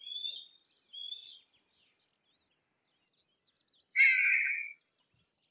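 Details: Harris's hawk, Parabuteo unicinctus: two faint, thin, high notes, then after a pause a louder harsh, raspy scream lasting almost a second, with quiet clicks between.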